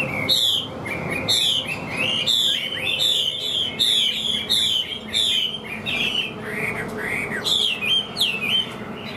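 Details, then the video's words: A Chinese hwamei (captive song bird) sings well with an even voice: a loud, rich, almost continuous run of varied whistles and slurred rising and falling phrases, with faint room noise underneath. "HÓT TỐT RA GIỌNG ĐỀU"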